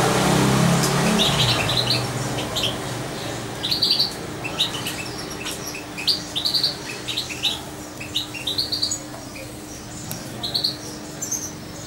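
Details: Hand-fed goldfinch nearly two months old, staying close to its keeper: loud rustle at first, then a busy run of high, thin, twittering chirps repeated in quick irregular bursts, with a faint steady hum beneath.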